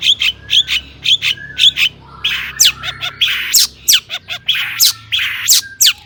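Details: Long-tailed shrike song used as a lure to make other shrikes sing: rapid series of harsh, buzzy notes mixed with sharp chirps, many short bursts packed closely, loud and high-pitched.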